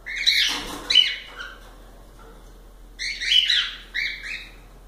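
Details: Pet cockatiels let out two bursts of overlapping bright chirps and squawky notes, separated by about two seconds of near silence.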